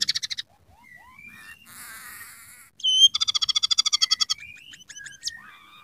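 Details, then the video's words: Scaly-breasted munia in busy song laced with rough canary phrases: brief chips, thin rising whistles, a buzzy drone, a loud whistle, then a rapid even trill of chips followed by varied whistled notes. "masteran burung emprit peking gacor isian suara kenari kasar"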